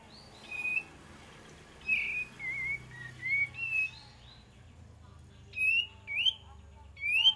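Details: Olive-winged bulbul lure song: soft wavering whistles at first, then louder sharp rising whistled notes near the end, over a faint low hum.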